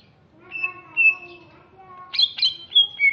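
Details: A greater green leafbird from Alas Purwo, Banyuwangi in East Java gives two long flat whistles over a low hum, then a quick set of sharp, ringing whistled notes falling in pitch.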